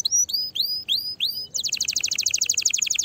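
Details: Canary song for stimulating other canaries to sing: four rising whistled notes with pauses between, followed by a fast, dense high trill of repeated notes.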